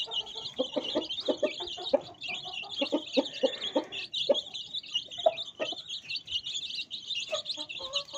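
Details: Domestic chicks with a hen, peeping constantly. A dense chorus of high, thin chirps overlaps without pause, with soft lower clucks and scuffling in between.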